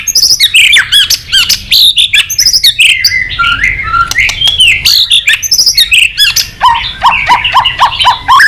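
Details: Excited white-rumped shama clicking and flicking its tail while singing in many voices: a dense, hurried stream of high slurred whistles, chips and twittering phrases with hardly a pause.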